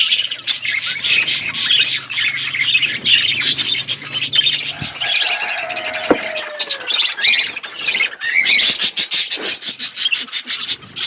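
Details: Flock of budgerigars kept in an outdoor aviary, continuous busy chirping and squawking from many birds, with a low hum and a faint descending whistle partway through.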